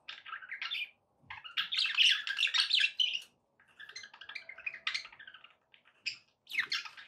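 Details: Budgies chattering and warbling in dense bursts of scratchy, squeaky notes, loudest through the middle, broken by short pauses around one and three and a half seconds.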